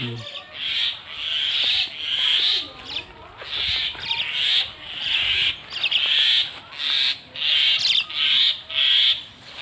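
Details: Common myna, local name shalike or moina xaliki, uttering rhythmic grating, scratchy calls repeated about twice a second, with some irregular squeaky notes between them and a soft background hiss.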